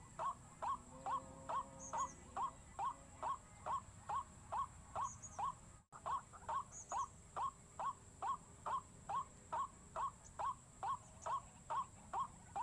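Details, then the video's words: White-breasted waterhen lure meant to panic the birds: long, tireless series of short rising notes at a steady two per second, broken once by a brief silent cut. "PIKAT 4 SISI BIKIN RUAK RUAK PANIK"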